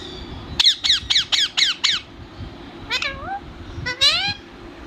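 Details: Pet talking parrot kept indoors, giving a quick run of six identical sharp harmonic notes, then two separate longer calls that bend up and down, over a low steady room hum.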